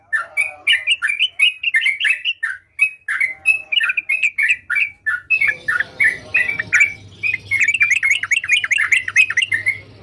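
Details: Lively sooty-headed bulbul song, a long run of sharp chirped and warbled notes repeated about twice a second. The song grows denser and more chattering near the end, with a low hum and light hiss behind it.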